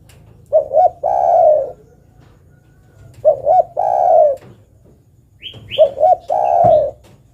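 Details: Female spotted dove calling the male: three repeated phrases, each two short coos followed by one long mellow coo, about every two and a half seconds. A pair of brief high chirps from another bird comes near the end, over a low hum.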